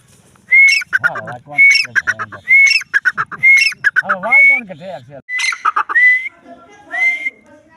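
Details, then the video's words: A female grey francolin, known locally as teetar, delivers a steady series of rising whistles roughly once a second, each trailed by scratchy chatter, with lower wavering tones underneath. "female teetar voice"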